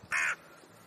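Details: A single short, hoarse caw from a talkative crow, abrupt and grating, followed by quiet background.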